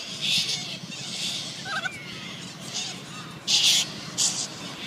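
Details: Wild little corellas (short-billed corellas), feeding, drinking and play fighting, give harsh, raspy screeches in short bursts, with a louder pair near the end, a faint thin whistle and a soft background murmur.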